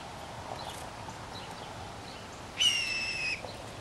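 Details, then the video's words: Blue jay drawn in by peanuts put out, heard from the trees: after a quiet stretch with faint distant notes, one harsh, tonal, level call of under a second. "Chatty bluejays coming to get some peanuts"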